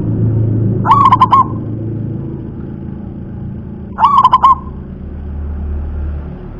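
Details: Local wild-type zebra dove cooing: two short phrases a few seconds apart, each a quick run of soft, rolling coos followed by a lower drawn-out note, over a steady low background hum.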